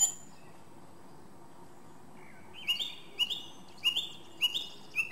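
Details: Song thrush repeating the same short, sharp whistled phrase about every half second, five times in a row after a quiet opening.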